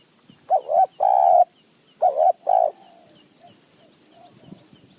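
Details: Wild spotted dove, in Thailand's mountain forest decoy-trapping tradition, answering a decoy with a call style described as 'throw 4 3 2 1 kuk, call 1 2 kuk'. Two pairs of mellow, hollow coos: a short doubled note, then a longer sustained one. Faint chirps behind.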